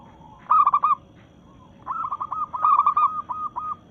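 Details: Singing to challenge rivals, a local zebra dove in breeding mood gives a short burst of quick coos, a pause, then a longer rolling series of stuttered cooing notes.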